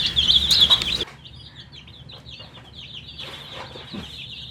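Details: Coloured baby chicks wanting drinking water: a loud burst of massed shrill peeping, then quieter, separate high rising and falling cheeps from several chicks.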